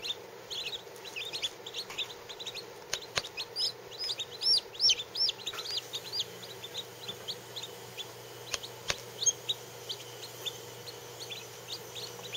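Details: Lavender Orpington chicken chicks, fourteen of them, all under 24 hours old and some under 4 hours, resting under a heat lamp: rapid high thin peeps, some rising-falling, tumbling irregularly over each other at about three per second, with soft steady background hum.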